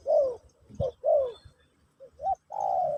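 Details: Spotted dove in a Pesom/Kacuk teaching session for a new bird, giving falling coos, a couple of clipped notes, and a final drawn-out low coo.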